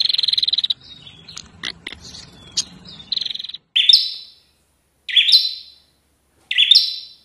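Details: Bar-winged prinia, a wild visiting bird described as aggressive and fighting, singing vigorously: a fast buzzy trill with scattered clicks, then three loud, separate rising-and-falling buzzy notes about one and a half seconds apart against a quiet background.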